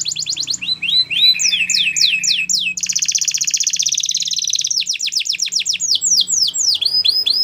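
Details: Training song of a Belgian canary: quick high trills and swooping descending notes, then a long buzzy rolled passage lasting about two seconds, followed by further sweeping downward phrases over a soft low hum.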